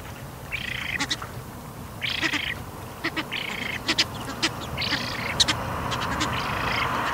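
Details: Young Eurasian spoonbill begging for food at Bislicher Insel on 12 September 2021, mid-afternoon: hoarse, buzzy wheezing calls in bursts roughly a second long, repeated irregularly, with short sharp clicks between them.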